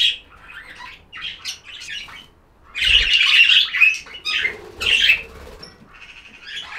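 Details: Pet budgerigars chirping inside a small room: dense, scratchy warbling chatter in clustered bursts, loudest in the middle, with brief squawks and a faint flutter of wings.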